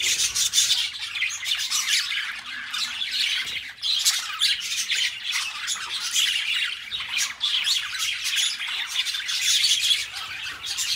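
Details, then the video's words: Pair of budgerigars in nonstop warbling chatter: dense, raspy squawks and ticking chirps pour out for the whole stretch, with a couple of soft knocks. "Relaxing Budgie Sounds | Birds Sing You to Sleep Peacefully"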